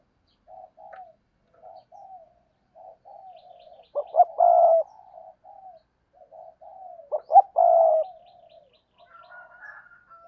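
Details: Spotted dove decoy calling to attract wild doves. Gentle low coos run through the clip, broken twice by a loud phrase of short pulses and a long sustained croo. A faint higher tone is heard near the end.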